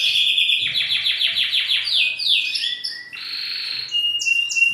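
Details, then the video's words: A male canary's courtship song aimed at a female, meant to prompt mating posture; fast descending chopped notes repeated rhythmically, then smoother whistled rolls and high chirps. "اقوى تحفيز وتغريد لذكر الكناري لانثى الكناري لاجبارها على اخذ وضعية التزاوج"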